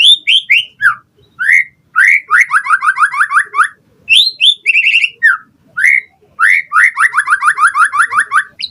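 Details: White-rumped shama singing to provoke other birds into answering: clear whistled notes, some slurred downward, then fast runs of repeated rising chirps, delivered in energetic bursts with brief gaps.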